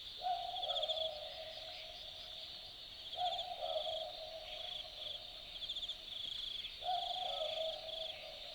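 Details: Australian Boobook (Ninox boobook) recorded at night in the Australian bush at Dharug. It gives three low, hollow 'boo-book' double notes about three and a half seconds apart. The calls sit under a loud, buzzing insect chorus and a steady background hiss.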